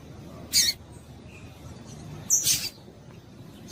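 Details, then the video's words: Female double-collared seedeater calling to stir up males: two short, very high, shrill chip notes about two seconds apart, separated by quiet background. "PIADO DE FÊMEA DE PAPA CAPIM PARA ESQUENTAR PAPACAPIM"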